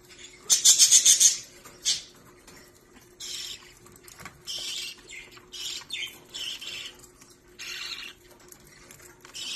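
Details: Baby budgerigar, a young rescue bird, discovering and playing with a ball and toys during lunch; bright, high chirps in short uneven bursts, loudest and densest near the start, then scattered chatter.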